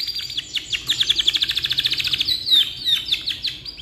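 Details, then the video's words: Black-red canary singing for tutoring young birds, a long rolling trill of rapid, evenly spaced notes about thirty in a row, followed by slurred whistles and chips. "GACOR KICAU PANJANG COCOK BUAT MASTERAN"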